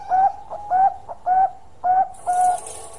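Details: Bangkok perkutut (zebra dove) giving its long song as five clear, evenly spaced whistled coos, each slightly rising, with a faint hiss at the end.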